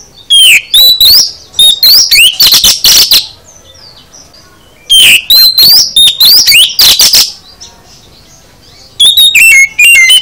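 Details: Kacer, or oriental magpie-robin, in full isian song, delivering three energetic bursts of rapid varied whistles, sharp chips and slurred notes, each burst separated by a pause of a second or two.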